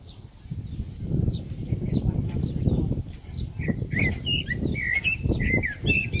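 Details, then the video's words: A common blackbird in New Zealand sings short, quick whistled and warbling notes that grow clearer and busier in the second half, over a steady low rumble of wind. "Пение Чёрного Дрозда/ Black Bird's song"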